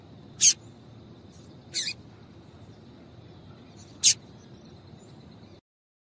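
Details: Female Double-collared seedeater giving a call played to get males singing: three isolated sharp, high chips spread over four seconds, with a faint steady thin tone in the background.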